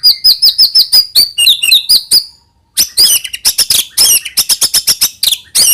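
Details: A white-rumped shama sings to encourage young birds to sing: high, quick repeated whistled notes, a brief silence, then dense scratchy chatter mixed with high trills.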